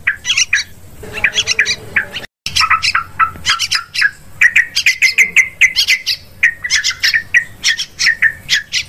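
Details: Sooty-headed bulbul lure call for hunting in forest, rice fields and plantations: long stream of sharp, rhythmic chirps and bubbly warbles, broken by a brief cut of silence early on, then steady chatter.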